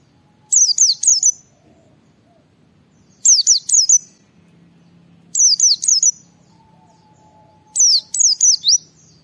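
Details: White-eye singing energetically in ngalas style to encourage other white-eyes to join in: four bursts of three or four high, steeply falling whistles, spaced roughly every two and a half seconds, with faint low tones between them.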